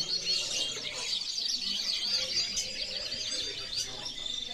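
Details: European goldfinch (Carduelis carduelis), song.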